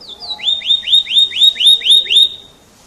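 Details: Canary, an F1 bird, singing a series of about eight upward-sweeping whistled notes, each repeated roughly every quarter second, loud and clear before fading out.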